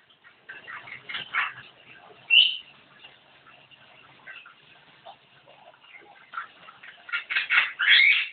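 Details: Javan myna singing vigorously, in the lively style called gacor: harsh squawky notes and short scratchy bursts, scattered and uneven, with louder screechy phrases near the start and a dense burst at the end.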